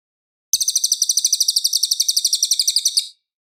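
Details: Loud, clear singing of a cililin, kept as a tutor recording for a white-rumped shama: one high, fast chattering trill of about twenty-five rhythmic pulses over two and a half seconds, then silence.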